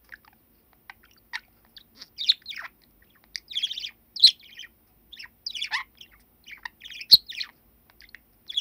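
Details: A male budgerigar, seven years old and kept as a pet, chatters on 21 December 2019 while facing the camera, a little nervous: rapid, scratchy, twittering bursts of high syllables with short pauses, tones sweeping up and down, in a quiet room.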